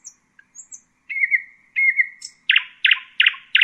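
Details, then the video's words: Common nightingale (Luscinia megarhynchos) song: high thin notes, then long drawn-out whistles and a series of four loud sharp repeated notes. "Common nightingale,beautiful birdsinging"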